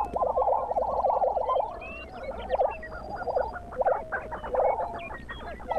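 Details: Lesser prairie chickens near Buffalo, Oklahoma, in the Southern Great Plains, watched in early morning: a dense overlapping chorus of quavering, bubbling calls with rapid warbled trills at the start, then short yelping notes from several birds.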